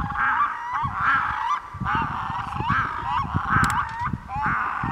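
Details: Red-throated loons calling in a rhythmic series of harsh, goose-like cackling notes, roughly one per second, each rising and then falling, with steady low background rumble.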